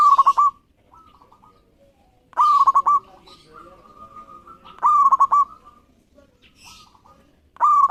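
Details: Local zebra dove singing often, its voice meant to goad rival doves into singing. Rattling cooed phrases repeat about every two and a half seconds, with softer drawn-out coos and faint rustling in the gaps.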